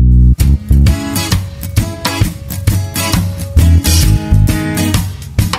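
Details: Loud strummed guitar music with a steady beat fills the whole stretch, with no animal voice heard.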